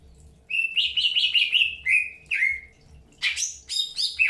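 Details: Greater green leafbird during early pairing, giving a rapid run of bright chirps that rise and fall around the upper-middle range, then two longer down-slurred notes and a pair of sharp high calls after a pause.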